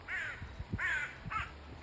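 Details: Crows in trees giving group alarm calls in September, in Norway, while a swan and ducks are hand-fed: about four harsh, hoarse caws in under two seconds, with low rumbling noise and a faint voice underneath.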